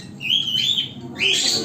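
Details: A baby green opaline lovebird, an African lovebird in an aviary, gives two high, thin rising calls, each a drawn-out squeaky chirp, separated by a short pause.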